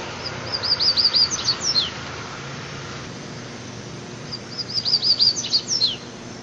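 Rusty-collared Seedeater giving two quick phrases of high, sweet chirps and slurred whistles, each about a second and a half long, over a soft background hiss.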